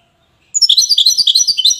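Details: Goldfinch in Safi, Morocco, breaking into a fast, high, tinkling twitter after a short silence, notes tumbling rapidly one after another.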